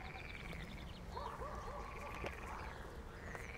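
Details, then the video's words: Young common kestrels being fed, giving a rapid, stuttering trilled call in the middle with a thin, high drawn-out note behind it, over a low rumbling background. "Torenvalkjes worden gevoerd"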